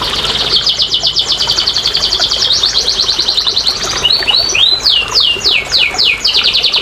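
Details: Rapid, even canary trill of repeated notes for nearly four seconds, then rising chips and falling slurs; played to prompt lazy canaries into singing.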